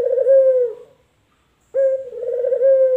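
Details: Male collared dove, local or white variety: one low, even coo fades out, followed by silence, then a loud, sustained, slightly wavering coo.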